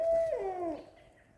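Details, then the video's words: Two owls call to each other from a tree in daytime, flying about, possibly hunting; one gives a single rich hooting note, held steady then sliding down at the end and fading quickly. "Two Owls Calling To Each Other"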